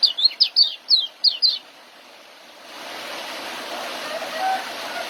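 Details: Song of a young white-eye in ngeriwik and joss style, meant for training caged birds: about eight quick, high, slurred chirps within two seconds, then a hissing, rushing background.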